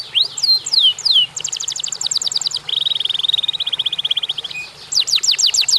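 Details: Singing canary: sweeping whistles give way to a fast, even rattle and a lower rolling trill, then renewed sharp falling whistles, with a faint low hum beneath.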